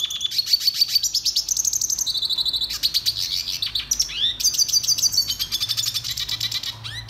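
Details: Red siskin song, used for song training: a fast, continuous high twittering of buzzy trills and clear whistled notes, shifting pitch every second or so, with no other sounds.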